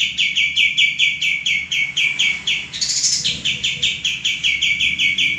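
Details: Persistent song of a male common iora, meant for training cage birds: steady, rapid high chirps at about five per second, briefly broken by a sharper, higher accent near the middle.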